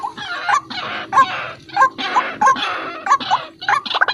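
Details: Energetic white-breasted waterhen lure call: steady series of harsh, nasal, upward-flicked notes roughly twice a second, ending in a quicker stutter of notes.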